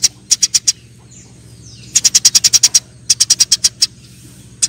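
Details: Fighting Eurasian tree sparrows give clipped, high chirps in three separated bursts of roughly five, nine and seven notes, with short silent pauses between.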